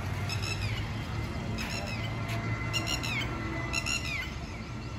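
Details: A red-wattled lapwing in Jamia Nagar, New Delhi, India, gives strident three- and four-note phrases, final notes dropping in pitch, spaced about a second apart, over a soft low urban hum.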